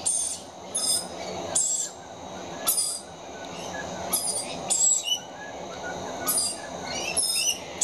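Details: Very young rainbow lorikeets, two of them, begging for food with high-pitched screeching; shrill raspy bursts come in irregular clusters about once a second, some with sharp whistled edges, against constant low murmuring background noise.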